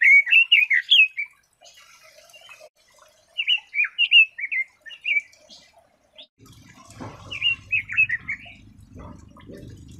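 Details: Red-billed leiothrix giving rich warbled phrases of short up-and-down notes, separated by brief pauses, with faint scattered chips; a low rumbling background noise enters during the final phrase.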